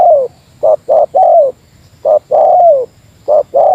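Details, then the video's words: Spotted dove in Meratus lure style answering a rival, delivering quicker phrases: short separate coos followed by long slurred falling coos, about three phrases in under four seconds. "Suara Burung Tekukur Meratus Lawan"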